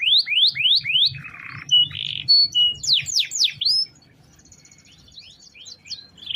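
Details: Canary song for daily training of other birds: rising whistled notes repeated, a short harsh buzz, then rapid falling sweeps, fading into faint soft notes for the last seconds.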